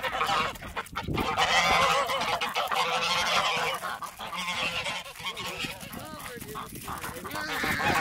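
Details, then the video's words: Protective Emden geese on a farm during winter chores keep up a steady, dense stream of nasal honking from several birds, with scuffling noise underneath. "Geese attack!"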